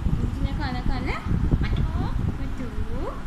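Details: Indian Alexandrine parakeet talking: a run of short, speech-like phrases with curving, rising and falling tones, over a steady rumbling background.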